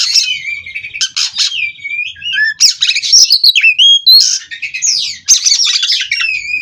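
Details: Kacer, the White-rumped shama, from a Cirebon breeding farm, singing a varied nonstop song of harsh chattering bursts mixed with looping whistled slurs and trills.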